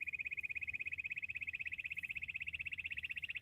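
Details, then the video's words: A bush quail hunting call, a loud, rapid, evenly pulsed high trill with clearly separated beats, held at one steady pitch throughout. "Amazing quail sound 👌 full girenti sound || battair shikar awaaz 🎶 Bush quail sound check"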